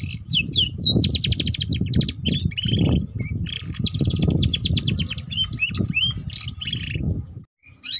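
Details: Canary singing in the ngeriwik style, offered as a lure for young canaries learning to sing: long rapid trills and buzzy rolls with sweeping chirps, over constant low-pitched rumble.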